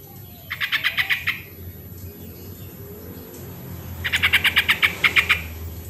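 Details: Original yellow-vented bulbul sound for making lazy birds sing: two chattering bursts of fast, bubbly notes, the second longer, separated by a few seconds of low background rumble.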